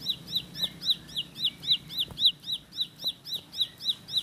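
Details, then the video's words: Bar-winged prinia, local name ciblek sawah or ciblek pari, singing a rolling 'roll speed' song of sharp, high, hooked chip notes repeated evenly, with faint thin whistles and a soft low hum behind. "Tembakan Roll Spead Ciblek Lagu Full Kolibri // Ciblek Sawah/Ciblek Pari"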